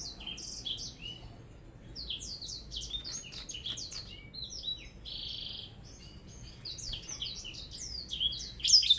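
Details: Blackthroat song during a contest with a Java sparrow, a continuous, moderately quiet stream of high twittering notes, quick slurs and a few sustained buzzy tones, ending with a sharp bright flourish.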